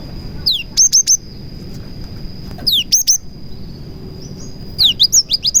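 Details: A cinereous tit delivers its prenjak-filled song, a lure for other cinereous tits. Repeated phrases pair a downward slurred note with quick triplets of piercing high chirps, separated by short gaps and a faint steady whine.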